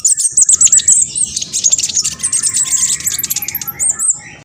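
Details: Spotted black sunbird, said to sing at high speed, delivering a continuous stream of rapid, high, twittering notes in a steady trill-like run.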